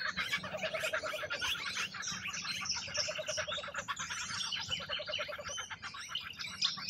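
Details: Feeding rainbow lorikeets, Australia, chattering continuously in shrill, scratchy bursts. A lower, quick trilling phrase comes back several times, and there is a faint hum underneath.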